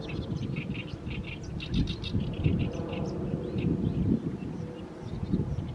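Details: In a fallow field in mid-May, an Oriental reed warbler keeps singing as the evening sun falls on it. Rasping, grating phrases come in fast runs, backed by constant low-pitched rumbling noise.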